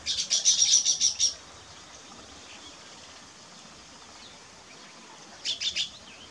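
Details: Weaver bird during nest building, uttering a short burst of rapid, high chattering notes, then a quiet pause with faint background hiss before another brief, fast chatter near the end.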